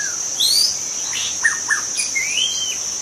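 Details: Wild white-rumped shama from the forest, its song used to lure other shamas: whistled rising and falling notes with short downward slurs, over a steady high insect drone.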